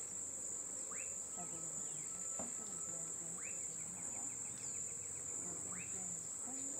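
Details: White-tailed kite (Elanus leucurus) at Laguna Negra, Guaviare, Colombia, giving three short, rising whistled notes about two seconds apart, over a loud, steady high-pitched insect drone.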